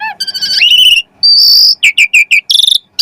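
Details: Asian pied starling singing energetically, a lure song to get other starlings singing fast: a rising buzzy phrase, a loud sustained shrill note, then rapid chattering syllables and a final harsh burst.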